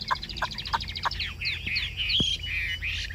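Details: Caged Chinese hwamei singing: a quick series of high chattered notes followed by rich, wavering whistled slurs, with a sharp knock partway through.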